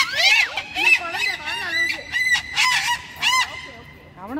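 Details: White cockatoo chattering in a loud, raspy, harmonic voice, a string of short speech-like syllables with sliding pitch, some bursts harsh and screechy, ending in a low rising note.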